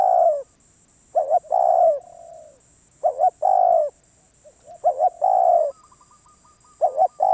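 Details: ['Spotted dove, a wild bird described as very stubborn, cooing: a quick husky double note then a longer falling coo, each phrase about two seconds apart, with a steady high electronic whine throughout.']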